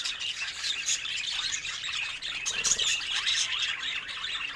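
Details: Budgerigar song: busy, high-pitched twittering and squeaky chirps running together without a break, with brief sharper notes scattered through the chatter.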